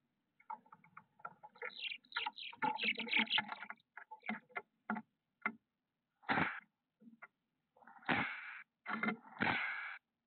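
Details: Female Chestnut-backed chickadee guarding young in a nest box, San Francisco south bay peninsula, 8:06 PM May 27 2021, gives a snake-mimicking display when a larger bird lands on the box: scratchy rustles, then three loud explosive breathy hisses about a second apart.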